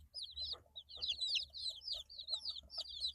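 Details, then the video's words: Eight-day-old chicken chicks peeping: high whistled chirps sliding down, given in quick overlapping runs from several birds, with a faint low hum underneath. "Chicks Chirping Sounds - Baby Chicken Sounds"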